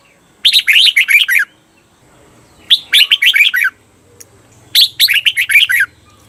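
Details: Repeated red-whiskered bulbul phrase for training caged birds: three matching bursts of fast, bright, bubbling notes roughly every two seconds, each about a second long, with quiet gaps.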